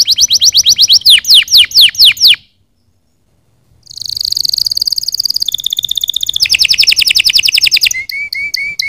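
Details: Singing canaries, played to get other birds singing: rapid trills of descending sweeps, a short silence, then a buzzy high roll shifting into faster trills and finally a few short flat notes.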